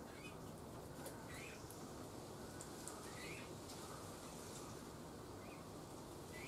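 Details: Eurasian bullfinch calls during feeding, recorded 7 June 2020: faint, soft piped notes that rise slightly, spaced about one to two seconds apart, over a constant low hum and faint rustling.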